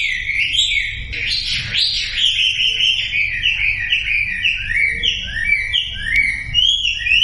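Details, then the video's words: Sumatran leafbird lure song for silent birds: a brief harsh burst near the start, then a string of clear, stepping whistled notes gradually falling and rising, steady and loud. "SUARA MASTERAN WAMBI UNTUK YANG DIAM IKUT KICAU"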